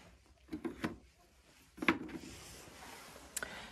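Indoor handling noises, a few knocks and rustles, with no animal calls.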